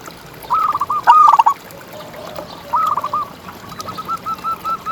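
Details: Local zebra dove singing as a tutor bird for contest doves. Two bright stuttering coo phrases around one second apart, followed by a softer, longer rolling trill. Faint background noise throughout.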